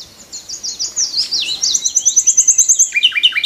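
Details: Morning song of a nightingale perched on a tree, opening with quick high chirps that slide downward, followed by a long rapid series of crisp repeated notes and a closing cluster of lower, buzzier notes.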